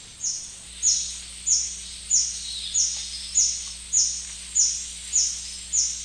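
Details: High, sharp squeaks from a White-bearded hermit by the Shiripuno River, nine notes in a steady rhythm about 0.6 seconds apart, each a quick falling chip, with a soft background hum.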